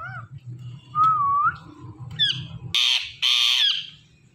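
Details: Indian ringneck parrots calling in a flock: a low wavering whistled note and a thin chirp over a murmuring background, then two loud, harsh, drawn-out screeches in close succession.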